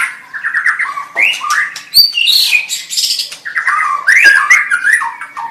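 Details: White-rumped shama song opening with a quick rising series of clipped whistles, followed by a high pure note, warbled slurs and harsh bursts in a varied, fast-paced sequence.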